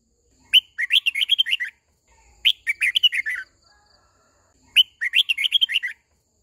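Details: A captive decoy red-whiskered bulbul (Pycnonotus jocosus) sings to call the flock and to train young birds: three bright, bubbling phrases of quick fluty notes, each about a second long and two seconds apart, with nothing else audible.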